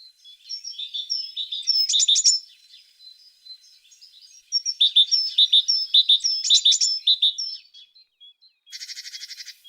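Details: High twittering from a singing tit: two bursts of rapid chirps and sharp notes separated by a quieter gap, closing with a harsh, rattling buzz.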